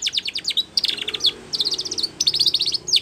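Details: Spanish Timbrado canary singing a training song in short phrases of rapid rattling, metallic rolled notes, each separated by brief gaps, with bright chirps at start and end.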